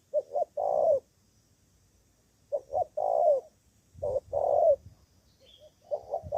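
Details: Spotted dove from Cà Mau, Vietnam, a decoy bird calling to rivals: short double notes followed by a longer hoarse coo, phrase repeated three times with pauses between, in a quiet setting.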